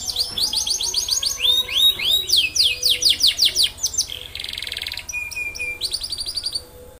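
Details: Canary singing a long, lively song meant to prompt other canaries to join in: fast repeated upward-sweeping whistles in rolling trills, a dense buzzy rattle midway, then quick high chirped notes and more sweeping phrases.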